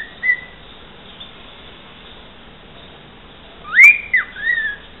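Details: A talking pet cockatiel, which also whistles parts of a football club anthem, gives one short clear whistle, then after a pause a quick run of sliding whistles that swoop up and down, over faint background hiss.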